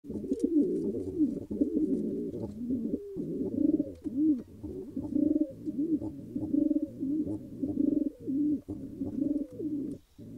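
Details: A newly formed pigeon pair at their nest, eggs hoped for, give low, throaty cooing. The coos run almost nonstop and overlap in rolling, murmuring phrases with brief pauses and faint light knocks.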